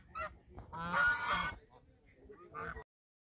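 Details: Geese honking in duet at the mouth of the Sosúa River: a short nasal honk, then a harsh, richly layered honking burst of nearly a second, a quieter pause, and one final brief honk before the sound cuts off.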